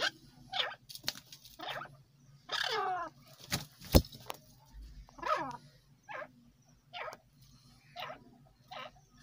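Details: Silver boski partridge, described as Irani teetar: short harsh calls with harmonic sweeps falling in pitch, given in bursts about a second apart. A low steady hum and a few sharp clicks sit beneath them.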